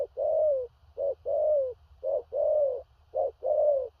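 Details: Close, loud spotted dove coos in thổ rặc gù cà lăm manner from a big-bodied bird: short note, then long falling coo, three rounds in quick succession above faint low rumble.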